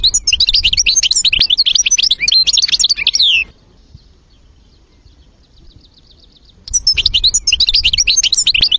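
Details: Old-style European goldfinch song, varied and rich, a fast stream of bright twittering, tinkling notes, about four a second, breaking off into a quiet gap before resuming, with faint low background hum.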